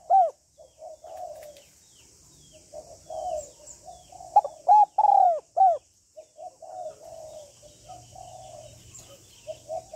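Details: Female spotted dove calling to stimulate males, with calling, urging and cooing phrases: low murmured coos between bursts of loud, arched, ringing notes, a faint low hum underneath.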